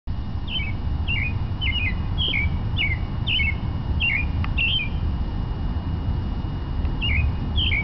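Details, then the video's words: Robin singing at sunrise: short, clear, down-slurred whistled phrases about twice a second, over a steady low rumble. "Robin singing"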